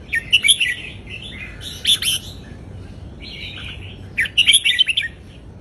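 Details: Southern Thai folk-style song from a caged Indonesian red-whiskered bulbul, played as a lesson for young birds: three spaced bursts of quick, sweet, chattering warbles over low steady background noise.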